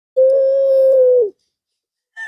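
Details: Male Barbary dove of the long-cooing pelung type calling to a female: one drawn-out steady mid-pitched coo about a second long, fading slightly downward at the end, then silence and a brief higher sound.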